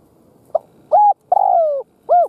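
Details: Spotted dove serving as a decoy to lure wild doves gives one cooing phrase: brief soft lead-in, level coo, long gently falling coo, then a rounded final note, low and clear.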